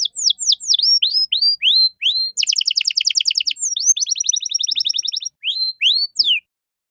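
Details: Gacor canary giving a cengkok mewah master song for training caged songbirds: sweeping downward whistles, a dense buzzy trill, then a quicker stuttering roll before final slurred whistles, with no background noise.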